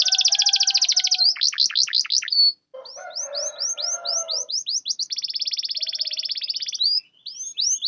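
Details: Canary singing to wake up stalled, silent canaries: a buzzy high roll, deep plunging sweeps, a scratchy low passage, brisk hooked whistles, another long rattling trill and closing sweeps.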